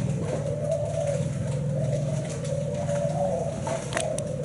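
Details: Spotted dove of the Thai black-spotted type, a bird known for a seven-note song, giving an unbroken low coo with slight pitch bends, a strong low hum underneath and a couple of sharp clicks near the end.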